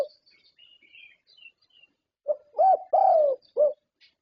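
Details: Zebra dove, a Thailand contest champion: after a near-silent start with soft distant chirps, a tight phrase of four low coos, the middle two longer and rounded, then silence.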